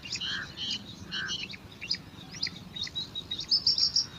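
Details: Bar-winged prinia nestlings, five chicks jostling for food in a nest among alang-alang grass, utter clusters of sharp high chirps that tighten into thin whistled squeaks, over a low background rumble.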